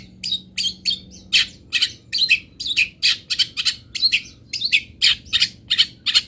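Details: Long-tailed shrike from Pati in fill-in song used for tutoring: quick, continuous run of buzzy, rasping notes, about three per second, fairly even and loud throughout.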